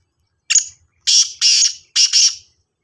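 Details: Black francolin calling: harsh, grating, buzzy notes in a short phrase, one brief note followed by two longer doubled bursts, sharp and loud against a quiet background.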